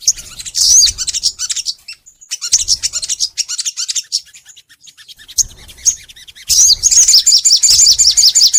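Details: Energetic crimson sunbird song used to coax other sunbirds to sing: dense bursts of very high, rapid twittering and chipping, a brief pause, then a fast, loud run of repeated sharp notes.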